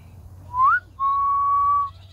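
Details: Soft whistle-like call of a grey diamond dove, with one brief upward-sliding note followed by a longer even tone, heard cleanly over a faint low hum.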